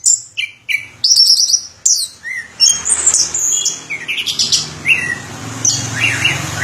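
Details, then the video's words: Orange-headed thrush (anis kembang), Indonesia, in varied song: clipped high whistles, then rising and falling slurred phrases growing busier toward the end over a faint low hum. "Suara Burung Anis Kembang Durasian"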